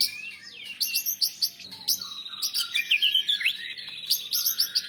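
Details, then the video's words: White-rumped shama song rich in imitated phrases, used for training other birds: high thin chattering notes, a long rambling warble and quick repeated chips throughout. "Suara Murai Batu Juara Nasional Untuk Masteran & Terapi Burung Drop Mental"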